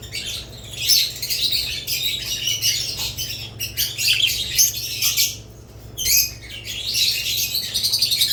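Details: A flock of budgerigars with lovebirds chirps and chatters continuously in high, buzzy, overlapping notes, pausing briefly a few times before the twittering resumes; a low constant hum runs beneath.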